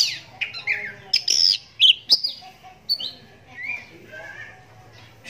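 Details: Oriental magpie-robin, one-eyed since young from a cataract, singing while other magpie-robins reply; sharp varied whistles, clicks and slurred chirps in rapid succession, fading to softer notes, with a low hum behind.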